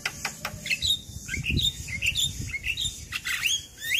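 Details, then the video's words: Energetic Javan myna song meant as a tutor for young mynas that rarely sing: scattered harsh clicks mixed with quick high whistled slurs and squeaky chirps, with low rustling noise underneath. "Jalak Kebo Gacor Masteran Pas Buat Jalak Muda Malas Bunyi"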